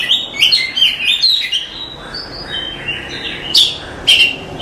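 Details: Oriental magpie-robin giving a masteran song for teaching cage birds. Quick varied whistles and chatter come first, then softer notes and two sharp high accents, with steady background hiss.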